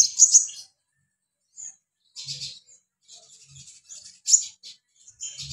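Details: Mountain white-eye giving scattered high, scratchy twittering bursts separated by pauses of about a second, with faint low knocks under a few of them.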